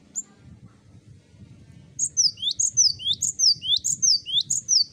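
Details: Cinereous tit chorus master to encourage singing: a steady sequence of about six repeated phrases, a high falling whistle and rising lower note each, over a continuous low rumbling background.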